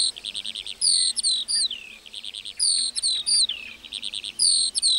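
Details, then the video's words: Lark singing in a meadow: fast high trilled phrases, sweeping down-slurred whistles and buzzy notes in a continuous stream broken by short pauses, with no other clear sounds. "Singing lark in the meadow"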